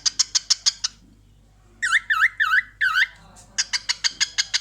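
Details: Mirror-gazing pet cockatiel laughing: a fast train of sharp rasping clicks, a pause, four swooping V-shaped whistles, then another rapid clicking burst.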